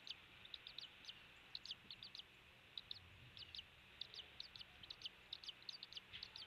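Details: Eagle at a rebuilt nest on Captiva Island, Florida, after Hurricane Ian, chick hatched 10 January 2023, nest camera at 07:45 on 16 January 2023. Faint thin high chirps, short falling whistled notes in quick clusters, over steady hiss.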